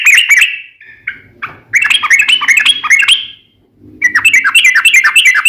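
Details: Sooty-headed bulbul singing a long, vigorous ropel: tumbling chattering whistles in quick bursts, a few isolated slurred notes between, and a faint low hum beneath.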